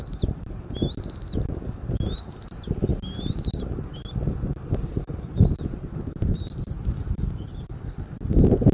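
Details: Bald eagle calling at its nest in Southwest Florida, 13 January 2024, 14:17: about eight high, slightly rising whistled notes, bunched early and late, with constant deep wind noise beneath.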